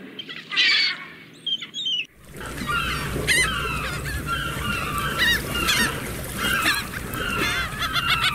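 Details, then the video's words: Seagulls calling: after two seconds of a few sparse, separate cries, a dense chorus of overlapping harsh, wavering calls and sharp yelps fills the rest, with steady low background rumble. "Relax with the sound of the seagulls"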